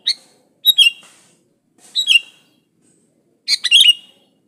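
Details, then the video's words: Sooty-headed bulbul (kutilang) singing, used as a lure to get other bulbuls to sing: three short bubbly phrases of clear, falling whistled notes, spaced about one to one and a half seconds apart. "Suara burung kutilang gacor Asli tanpa isian Ampuh buat pancingan kutilang gacor"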